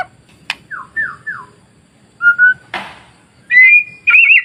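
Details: White-rumped shama masteran song for stirring other shamas: three descending slurred whistles, sharp clicks, a short steady whistle pair, then rising warbled whistles.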